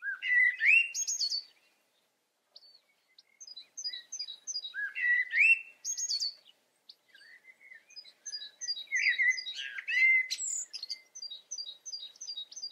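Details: European goldfinch filmed in the Eifel, Germany, singing three bursts of rich, buzzy liquid twittering, each followed by a series of high, thin, rhythmic tinkling notes, in otherwise silent surroundings.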